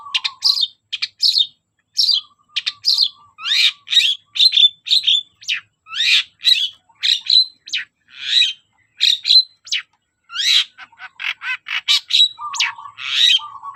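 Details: Long-tailed shrike singing vigorously, used as a lure to get silent shrikes singing: a brisk run of short, sharp high notes and clipped chirps in rapid varied phrases, with a few lower steady tones near the start and end.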